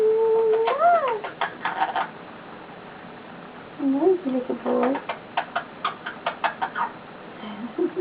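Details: Pet male eclectus parrot lying on its owner, making cute noises: an opening held whistle that swoops up and down, then repeated rapid clicking, low gurgled notes and more fast ticks.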